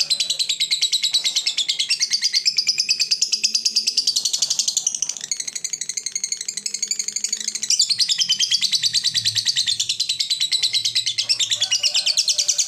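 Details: Lovebird, a fighter-type bird, giving a long ngekek trill meant to provoke rival birds into singing: dense rapid chattering ticks repeated about three times per second, high and continuous, with a brief softer dip midway before resuming at full strength.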